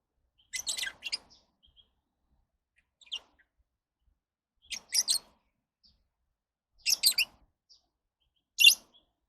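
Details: Lovebirds giving short, shrill, high chirps in clusters of two or three notes, spaced every two to three seconds, with quiet gaps between bursts.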